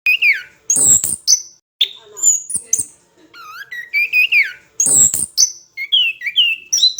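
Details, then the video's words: Orange-headed thrush singing energetically, a training recording for other songbirds: varied loud whistled phrases, some sliding down, others rising sharply or trilled, given in quick bursts with short pauses and a repeat of the opening phrase. "MASTERAN SUARA BURUNG ANIS KEMBANG GACOR"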